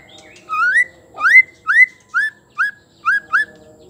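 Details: Female white-rumped shama, used to get males singing: seven rising whistled notes in quick succession, each sweeping upward, spaced around half a second apart against a faint background hum.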